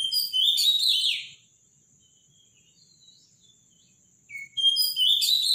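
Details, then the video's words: Morning Robin song, powerful and loud: a fast jumbled phrase of high warbled notes ending in a falling slur, then about three seconds of near quiet before a new phrase begins. "Robin song in the morning"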